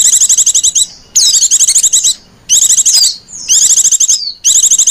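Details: Bursts of quick, shrill trilling and twittering from a female white-eye employed to lure white-eyes, with short silent gaps and a thin falling whistle between bursts.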